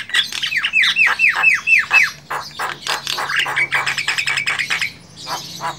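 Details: Javan myna in the wild giving a string of descending whistled notes, repeated about twice a second, followed by dense harsh chattering and clicks.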